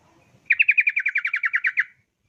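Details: Rapid 'ropel' song of a yellow-vented bulbul, used to coax bulbuls into singing: one crisp run of about thirteen fast, slightly down-slurred chirps lasting under two seconds, after faint low background rumble.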